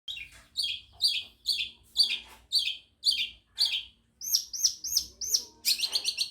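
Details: Madura long-tailed shrike singing with imitations of other birds: a run of short downslurred chirps repeated about twice a second, then higher, sharper whistled notes and a quickening burst at the end.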